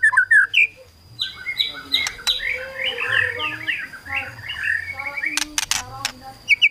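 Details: White-rumped shama singing kretekan to make rivals sing quickly: mixed rich warbling whistles and dense chattering phrases, broken by sharp clicking bursts, with a steady high faint tone throughout and louder chirps at start and end.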